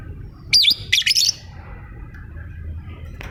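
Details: Lovebird producing two quick shrill, scratchy squawking chirps close together, then quiet, over a constant low rumbling hum with a faint click at the end.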